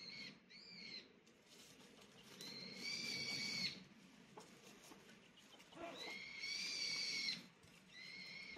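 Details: Chicken sounds: long, high, steady whistled peeps, each held about a second, come in bursts separated by pauses, over constant murmuring background noise.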